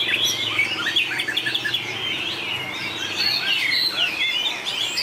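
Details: White-rumped shama singing in a contest, hót đấu style: rich, varied whistled phrases with quick slurred notes, steady background hiss.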